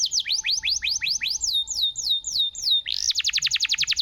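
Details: ['Gacor canary masteran song to prompt a stalled canary to sing again: a run of quick swooping whistled notes gliding down, then a sudden very fast, even trill.']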